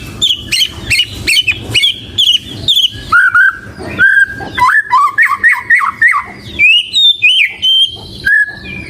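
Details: White-rumped shama singing a melodious, varied song: a fast run of clipped repeated notes, then loud fluted whistles that slide up and down in short phrases, with brief pauses between them.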